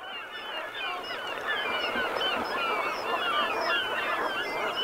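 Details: A large flock of Brent geese in the Gulf of Morbihan, Brittany, at sunset on 7 November 2021, in autumn, keeps up a dense, continuous chorus of rolling, guttural honks and murmurs, many birds calling over one another.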